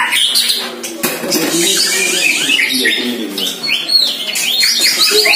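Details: White-rumped shama, one year old, facing a rival neighbour's shama in first practice, pouring out fast, jumbled high-pitched phrases of short whistled notes and sweeps; a man's voice speaks briefly at the end.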